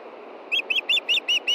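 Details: On a June evening in Montana a female osprey begs for fish before dark: after a short quiet pause, six quick, piercing whistled chirps follow at a steady rhythm.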